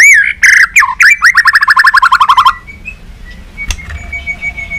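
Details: White-rumped shama singing a competitive, many-voiced song with tail flicking: rich slurred whistles open into a fast even trill of around a dozen descending notes, followed by quiet scattered chips and a soft thud.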